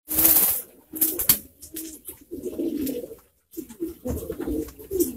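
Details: Pouter pigeons, many kept together, cooing in low, rolling phrases that repeat in bursts. Sharp clicks and rustles from the birds break in between the coos.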